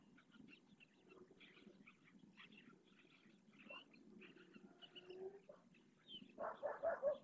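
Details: Purple swamphens at Riet Vell lagoon, Ebro Delta, where three chicks answer their parents' calls to be fed: scattered soft chirps and clucks, then a burst of louder harsh, nasal notes near the end.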